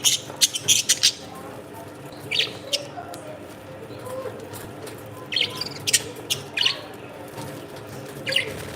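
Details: Parrots calling: short bright chirps and squeaks in scattered bursts, several quick notes clustered near the start and more spaced through the rest, over a low steady background hum.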